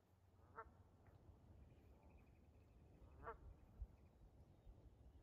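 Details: Canada geese family with goslings, flushed by accident from a riverbank in Prince Edward Island: two nasal harmonic honks nearly three seconds apart over steady low outdoor rumble and faint water-like noise.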